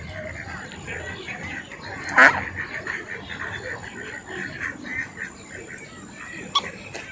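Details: Ducks on a lake: a steady run of short, nasal quacking bursts repeated through the clip, with one loud, harsh call near two seconds and a sharp click toward the end, over a soft natural background hiss.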